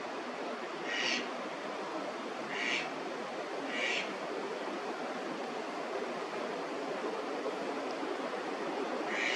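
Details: Eastern spot-billed duck in a Tokyo park during the May incubation season, calling frequently; three short rasping notes about 1.5 seconds apart, then a pause and another, against constant flowing-water noise.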